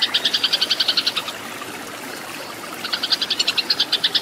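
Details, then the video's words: Eurasian tree sparrow fighting song meant for tutoring caged birds: a fast burst of sharp, high chirps, then a quiet pause of about one and a half seconds, then another quick chirping run. "MASTERAN BURUNG GEREJA TARUNG SUARA SUPER EFEKTIF GACOR KERAS JERNIH"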